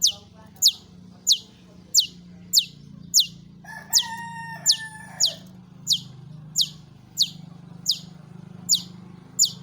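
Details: Long-tailed shrike lure call to set off other shrikes: sharp high notes repeated evenly about every 0.6 seconds over a low steady hum, with a brief whistled interlude near the middle.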